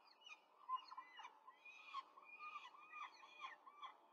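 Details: Female peregrine falcon quickly feeding four chicks at a nest in Rome, 5 May 2023: repeated arched, squealing calls, several birds calling over one another, with a few louder sharp notes.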